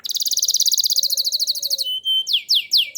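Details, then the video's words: Canary song meant to set other canaries singing: a fast rattling trill of clipped notes, then a brief flat whistle and three loud sweeping downward slurs; a faint low hum lies beneath. "Suara burung kenari gacor AMPUH buat PANCINGAN burung kenari agar bunyi"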